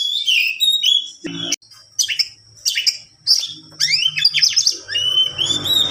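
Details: Oriental magpie-robin (kacer) in long continuous song (ngerol panjang), used as a tutor recording for other birds: high whistled glides and warbled phrases in quick succession, with brief pauses and a faint low hum beneath.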